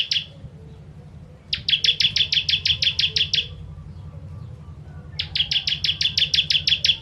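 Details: Bar-winged prinia, called ciblek, sings 'kristal tembakan' phrases meant as a training master for birds: the tail of one burst, then two long runs of fast, evenly repeated buzzy chips, with faint hum behind.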